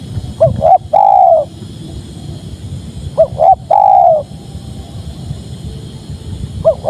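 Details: Spotted dove cooing, two full phrases of a short double note then a long, gently falling coo, with the start of a third phrase at the end.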